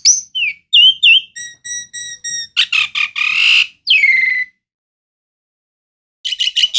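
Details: Asian pied starling (jalak suren) singing a varied, loud phrase: clear whistled slurs, a run of evenly repeated harmonic notes, then buzzy harsh bursts and a falling whistle. A pause follows, then a quick series of rasping notes.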